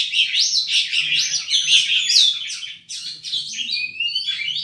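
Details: Oriental magpie-robin, a caged songbird, in vigorous song used to provoke less aggressive rivals; fast continuous run of buzzy chattering notes and rising whistles mixed with mimicked phrases, with a faint low hum behind.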